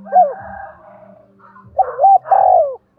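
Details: Spotted dove of the 'giọng đồng' voice, kept to lure and provoke wild birds. A hooked coo is followed after a pause by a phrase of a curled note and a long falling coo. A low hum runs underneath.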